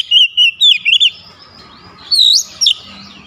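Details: Oriental magpie-robin song delivered with beak wide open: a rapid run of sharp, wavering whistled notes, then a higher rising-falling pair after a short gap, with faint low hum behind.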